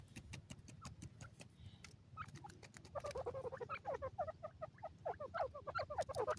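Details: Several black francolin chicks feeding on green grass in the wild; pecking clicks at first, then a dense, fast run of chattering peeps, roughly three per second, growing louder toward the end.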